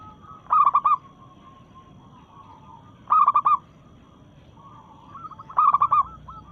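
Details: Local zebra dove, in breeding condition, challenging rivals with song: three short, rapid cooing bursts about two and a half seconds apart over soft background coos of other doves.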